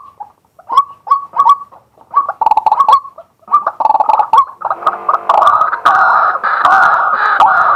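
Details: Male White-breasted waterhen recorded live in daytime with a fixed camera: stuttering series of hoarse mid-pitched notes that grow denser, ending in a loud, continuous rough croaking chorus.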